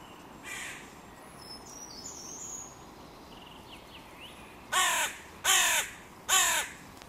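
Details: Crows disputing territory borders where three breeding pairs meet at a music pavilion in König-Albert-Park; after a quiet stretch with faint background calls, three loud, harsh caws ring out about every three-quarters of a second.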